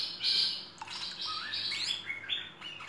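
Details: Merbah lekir bulbul, full-fill training recording, gives a bright, busy run of high chirps, then clear upward-slurred whistles and short stepped notes over a soft steady hum.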